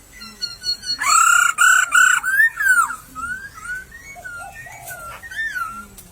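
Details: A white-crested laughingthrush in bamboo scrub in nature gives a loud, rich, drawn-out call that wavers and then falls. Softer short whistled notes follow at an uneven pace.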